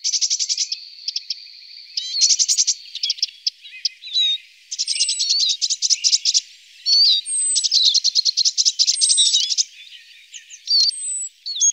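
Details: Eurasian siskin feeding on alder cones: high chirping twitter with fast ticking trills, short wheezy notes and whistled upslurs, in bursts separated by brief pauses over nearly twelve seconds.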